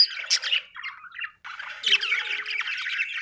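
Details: Budgerigars chirping in short bursts of high scratchy warbling, a brief pause, then a renewed chattering rush with a thin whistled note underneath.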